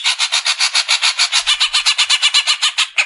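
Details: Steady, fast rattling series of harsh pulsed notes, evenly repeated for three seconds, from a Greater green leafbird (cucak ijo) singing 'besetan' song for caged-bird training.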